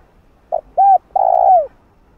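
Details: Spotted dove coo used to lure and train a decoy bird: a short low note, an arched hollow coo, then a longer sustained coo sliding down at the end.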